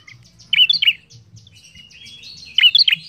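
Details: An Ashy tailorbird (Orthotomus ruficeps) singing actively gives two quick bursts of sharp, high chirping notes about two seconds apart, with softer thin twittering between and a faint low hum behind.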